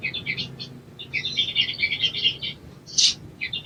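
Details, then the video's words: Sogon, an Indonesian songbird, used as therapy audio to get birds singing quickly: fast, jumbled high twittering notes in rapid clusters, broken by one sharp chirp near the end. "TERAPI BAHAN SOGON IJOAN CEPAT BUNYI"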